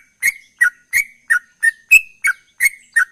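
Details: Sooty-headed bulbul singing ropel style, a brisk run of clipped whistled chirps, some dipping and some level, spaced roughly a third of a second apart against a silent background.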